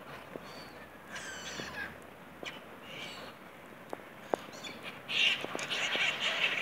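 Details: Seagulls in a city park: harsh, nasal calls with rising and falling strokes, spaced irregularly, over steady background noise with a few sharp clicks.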